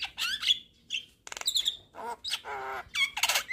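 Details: Javan myna pouring out a varied, filler-rich song while nodding: raspy squawks, a buzzy rattle, a nasal harmonic-rich drawn note and high whistled slurs in quick alternation.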